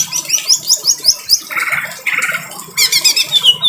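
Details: Greater green leafbird in harsh voice with rain sounds: quick high rising notes in a series, then two buzzy lower bursts and a final fast chatter, over a soft low background murmur.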